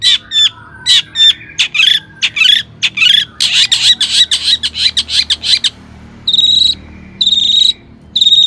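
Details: Long-tailed shrike in loud, agitated song, used as a lure so other shrikes start singing. Harsh grating bursts and clipped notes tumble together, then a few drawn-out, scratchy calls follow.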